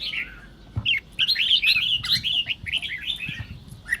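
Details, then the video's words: Red-whiskered bulbul singing, a recording used to stir other bulbuls to sing in the Sông Kôn style. A soft falling whistle opens, then a lively stream of bright, twisting chirps and slurred notes fills the rest. "Chào Mào Kình Kích Chim Bạn Dễ Ché. Âm Thanh Kích Chào Mào Ché"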